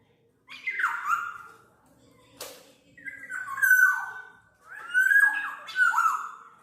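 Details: Black-naped oriole (kepodang mas), recorded for tutoring songbirds and luring: three bursts of nasal, slurred notes that swoop down sharply with rich overtones, spaced about two seconds apart, over a faint low hum.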